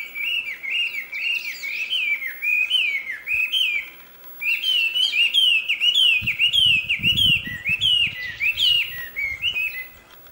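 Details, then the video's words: Wild mountain tailorbird singing busily: a long chain of high, bouncing, slurred whistles in quick succession, a brief pause, then more, with some low thumping handling noise midway. "Burung wambi liar gacor"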